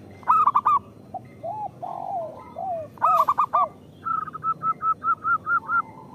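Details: Local zebra doves sing in a recording meant to lure and stimulate other doves. Loud, stuttering, ringing bursts alternate with low, slurred coos, and the clip ends in a steady run of quick, even notes.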